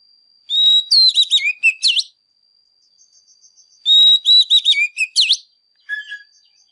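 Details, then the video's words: Oriental magpie-robin in fired-up singing, as used to stir caged birds to sing: two loud whistled phrases about three seconds apart, each a long steady note, then quick slurred and rising sweeps, over a faint constant high tone. "Chòe Than CĂNG LỬA HÓT MÚA"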